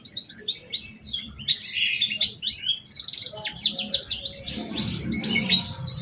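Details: Busy, high-pitched white-eye song with special phrasing, used as a lure for other white-eyes: dense cascades of quick slurred chirps and trills, with a low rumble in the background.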